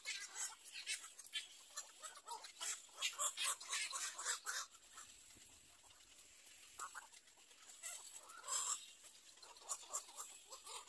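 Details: Young little egret in the nest making bouts of fast, hoarse, rattling chatter, dense for the first few seconds, then a pause and further rasping bursts.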